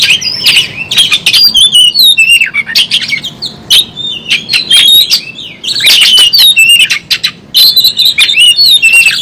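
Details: Fighting Oriental magpie-robin with its tail opened, singing busily: loud, quick whistles sliding up and down, broken by rasping, buzzy squawks and clicks in dense bursts throughout.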